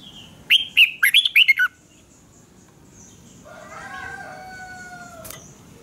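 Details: Red-whiskered bulbul in a duel, sung for voice training: a fast, loud string of shrill whistled notes lasting about a second, followed by a quieter, long, drawn-out harmonic call in the background.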